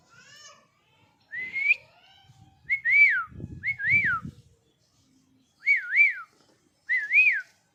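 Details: Angry pet parrot giving clear whistled notes. Each note rises, then dips and rises again in a wavy pattern, repeated several times with short pauses. Soft low human voices murmur between the calls.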